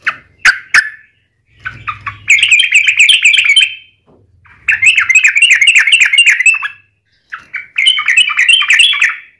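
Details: Yellow-vented bulbul in full 'ropel panjang' song, a long rolling style used as a lure to make other bulbuls sing: a few sharp chirps, then three bursts of fast bubbly, chattering warbled notes with short pauses between.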